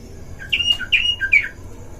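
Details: Brief snatch of a caged Oriental magpie-robin in a breeding-aviary duel, used as a provoking lure: three short whistled phrases, each a sweet note dropping to a lower one, over faint background hum.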